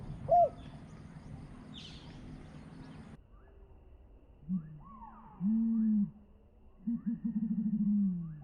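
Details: Spotted dove from a Thai decoy session, voice described as small-pitched with two 'kuk' notes and a constant 'ku-ang'. Low cooing: a short note, then a longer hollow coo, then a rapid throbbing rolled coo. Brief rustling and faint higher calls earlier.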